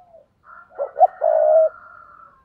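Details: A spotted dove's coo used to stir up and lure wild doves. Two quick, mellow notes lead into a long sustained hollow coo, with a faint higher overlapping tone underneath.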